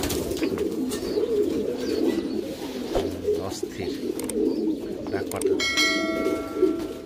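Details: Pouter pigeons, ornamental domestic rock doves, cooing together in a loft: a steady overlapping murmur of low coos, a man talking briefly, and a high electronic tone near the end.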